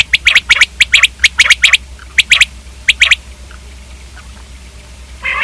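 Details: Common quail calling: bursts of sharp, clicking triple notes in quick groups, about five phrases over three seconds, then a quiet stretch with faint low hum.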